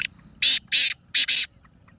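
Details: Black francolin calling. Four loud, harsh, grating notes, the first pair and second pair each close together, ending abruptly in a quiet background.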